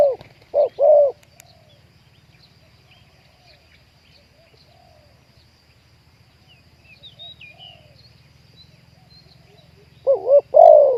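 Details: Spotted dove trapping session aimed at luring wild doves: bursts of low wavering coos at the start and end, separated by a long quiet stretch with faint distant bird notes.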